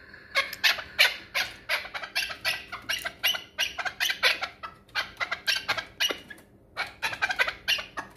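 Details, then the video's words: Rapid, uneven series of harsh, broadband chucking notes from a chukar partridge of the Pamirs, described as a hunting partridge, continuing almost without break for several seconds. "Кабки шикории Помир"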